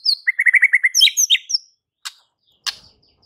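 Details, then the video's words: White-rumped shama singing to rouse fighter males: a quick run of repeated mid-pitched chips, then higher varied whistled notes, ending with two sharp clicks after a short silence. "MURAI BATU FIGHTER akan TERPANCING EMOSI NYA dengan Murai Batu GACOR INI"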